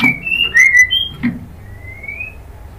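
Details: Female white-rumped shama calling a male, kretekan used as a lure: quieter, level and slightly rising whistles, a couple of soft thuds, then a long faint upward-sliding whistle.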